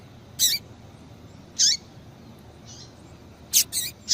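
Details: Female double-collared seedeater call meant to get males singing: brief, bright, high chirps spaced irregularly, one alone, then another after a second, ending in a close cluster of three, with low hiss between.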